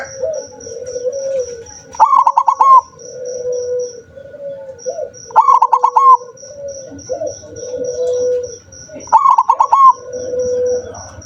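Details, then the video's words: Rarely vocal zebra dove repeating a short staccato phrase of bubbling coo notes three times, roughly every three and a half seconds. Softer, lower sustained cooing runs between phrases, with a regular high ticking pulse in the background. "perkutut jarang bunyi , sekali bunyi bikin melongo"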